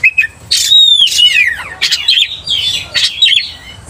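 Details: Oriental magpie-robin singing vigorously to provoke another magpie-robin; a long sweet descending whistle with harmonics opens, followed by scratchy buzzy notes and jumbled high warbling phrases.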